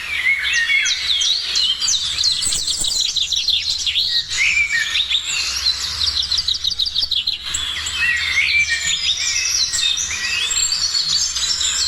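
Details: Morning birdsong, a busy, continuous mix of high whistled notes, quick slurred chirps and trills from several birds overlapping, with a low hum in the background.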